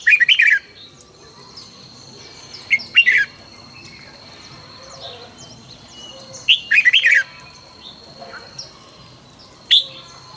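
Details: Trained red-whiskered bulbul singing at morning: brief rich warbled phrases of three to five notes, repeated at intervals of a few seconds, separated by quiet gaps with a thin constant high tone behind.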